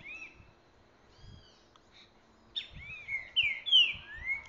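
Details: A caged Green-winged Saltator taken out into the woods, alone and marking its territory, sings loud, rich whistled phrases of slurred rising and falling notes, quiet at first and then bursting out strongly, over faint low thumps.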